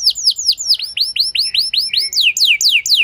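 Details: Canary singing as a lure for a reluctant bird to respond and sing at length; looping downward-swept whistles repeated about four times a second, shifting into quicker, higher sweeping notes in the second half.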